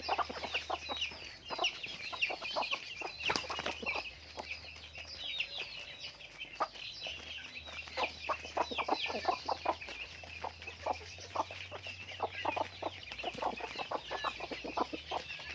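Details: Continuous clucking and high chirping from farm chickens, many quick overlapping notes, with a low machine hum running underneath.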